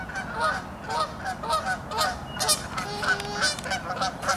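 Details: Geese giving a rapid series of loud, nasal honks, repeated about twice per second with overlapping voices from several birds, over a steady low background rumble.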